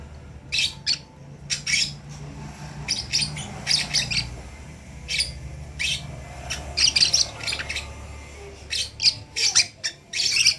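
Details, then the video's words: A lovebird nestling learning to call gives rasping, high chirps, singly and in quick runs, fairly steady across the recording, with a quiet indoor hum behind. "anak burung Lovebird belajar untuk bunyi"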